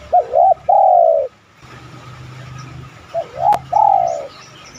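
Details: Spotted dove cooing, played as a lure to get other doves cooing: two phrases, each two short wavering notes then a long, slightly falling drawn-out coo, with a low hum underneath.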